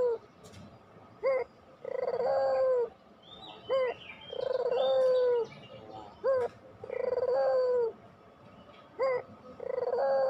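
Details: Barbary dove in pelung style, played to lure lazy doves into singing; a steady cycle of a short sharp coo then a long rolling coo, about every two and a half seconds, with light chirping behind.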